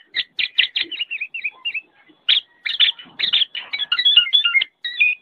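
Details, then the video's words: Black-naped oriole tutor recording: bursts of harsh, scratchy notes mixed with short whistled and twangy phrases, delivered in uneven clusters with brief pauses, in otherwise quiet surroundings. "MASTERAN BURUNG KEPODANG"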